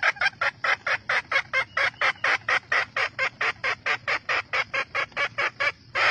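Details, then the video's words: Red junglefowl hen, wild Vietnamese fowl, calling to stimulate cocks: a long even series of loud harsh clucks, a little over two per second, sustained for six seconds. "Siêu phẩm gà mái rừng kích trống 100%"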